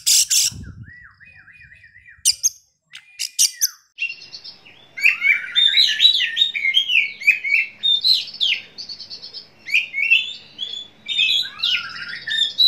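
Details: Oriental magpie-robin singing, used as a lure before birds go up for a contest so they will sing: a loud opening note and sharp clicks, then a long, varied warbling run of whistled, twisting phrases.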